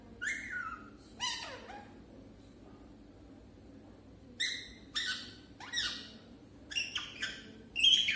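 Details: Beginner talking parrot: two gravelly, descending utterances, a silent stretch, then a series of short, scratchy syllables bunched toward the end.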